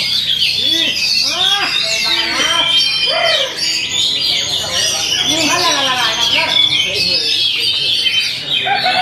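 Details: Oriental magpie-robin singing a fast, unbroken stream of high chattering and whistled phrases, with quick rising and falling sweeps. Loud human voices are heard throughout underneath.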